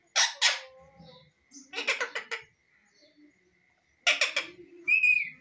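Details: Talking Indian ringneck parrot in a loud, close exchange: paired sharp squawky syllables, a quick burst of four or five chattering notes, a pause, another harsh cluster, then a short rising-falling whistle at the end.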